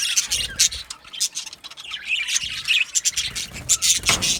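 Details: Budgerigars in an aviary colony, singing and chirping: dense overlapping high squawks, chirps and warbles from several birds, bursting in quick irregular pulses.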